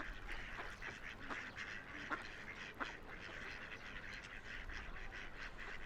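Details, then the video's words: River ducks at play trade a steady stream of nasal quacks, a few sharper louder calls standing out now and then, over a soft low murmur of moving water. "Relaxing Ducks Quacking by the River"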